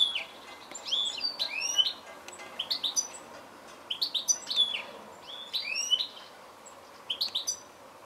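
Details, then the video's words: Goldfinch twittering steadily, with phrases of sharp chirps mixed with rising slurred notes that repeat every second or so for eight seconds. "Goldfinch call"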